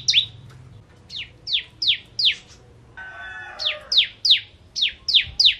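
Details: Bar-winged prinia, known locally as ciblek kristal, singing in full vigorous form: a run of sharp descending chirps repeated about three per second, broken midway by a brief buzzy rasping burst before the chirps resume.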